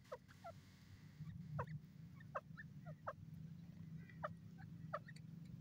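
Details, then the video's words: Grey francolin calling: short sharp notes with ringing overtones, some sliding upward, repeated irregularly about every half second to second, over a steady low rumbling hum. "beautiful voice of dakni teetar lovely teeter ki awaz"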